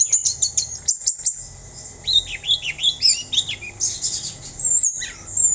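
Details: Orange-headed thrush delivering high, rapid chips followed by a series of looping whistled slurs, repeated down-up notes, against a faint constant hum.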